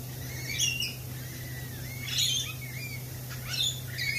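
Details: Lorikeets at a cafe with a mix of sliding whistles and harsh chattering squawks, several birds calling in turn against a constant low hum.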